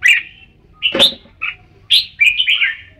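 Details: Red-whiskered bulbul with short, clear chirps and quick warbled phrases, bright and bouncy, spaced roughly half a second apart.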